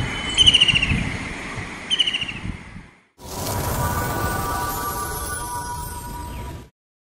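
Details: White-throated kingfisher, also called white-breasted kingfisher, giving two quick rattling trills of high, clipped notes, the first longer, over steady background noise; after a brief gap comes a loud continuous hiss.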